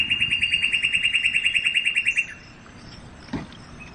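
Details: Northern cardinal singing a rapid, regular trill of clear whistled notes on a single pitch, about five per second, stopping abruptly after two seconds; then near silence with one soft low thump.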